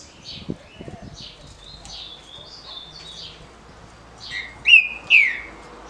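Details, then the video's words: A Green-winged saltator (trinca-ferro) from Paraná sings its short, smooth competition song: a rich whistled phrase ending in two loud slurred notes, with softer chirps and light background noise earlier. "TRINCA FERRO DE CANTO CURTO LISO"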